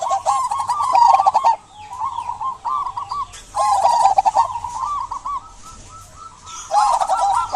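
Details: Vocal local zebra dove singing to stimulate silent doves: bursts of fast, trilled cooing phrases about every two to three seconds, some rising into longer rolling coos, with rattling clicks alongside.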